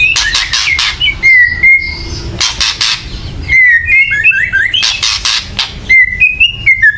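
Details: Agitated white-rumped shama chattering meant to raise other birds' excitement so they sing: three groups of harsh rattling bursts, each followed by quick whistled upslurred notes.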